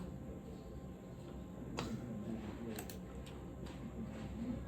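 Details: Quiet indoor room tone with a few soft ticks and clicks, and no animal voice.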